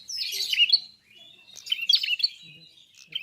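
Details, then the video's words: Red-fronted prinia singing energetically, with a rapid jumble of high, scratchy twitters and thin trills in two dense phrases separated by a brief dip. "BUKA PARUH FULL GACOR BURUNG PRENJAK KEPALA MERAH/KLAWU"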